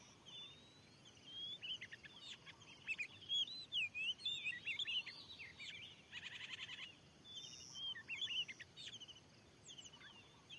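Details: Wild Oriental magpie-robin, described as very fierce, in a newly cleared field, answering a decoy lure: loud, varied whistled phrases with rapid slurred and rising notes. Bursts come in quick succession, with a buzzy rattle midway.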